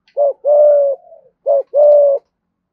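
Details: Lure spotted dove in 'thúc gù' cooing, 'giọng thổ' voice: two phrases of a short hoot followed by a long level coo, with a faint trailing murmur between them; close and clean.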